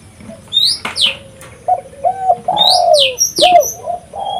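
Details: Spotted dove in full voice, used to lure wild birds: a series of low, mellow coos that swell and fall with short breaks, mixed with sharp, high, repeated chirps from another small bird.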